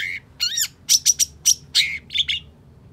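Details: Long-tailed shrike in excited song to stimulate a bird that has fallen silent: a whistled slur, then ringing, clipped notes repeated about every fifth of a second, followed by short buzzy phrases.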